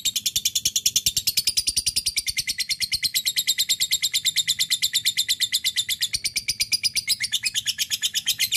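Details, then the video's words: Lovebird giving a long ngekek chatter, a call to a rival used as a lure: rapid, even stream of high, harsh chirps running steadily for over eight seconds without a break. "lovebird akan kepancing ngekek panjang"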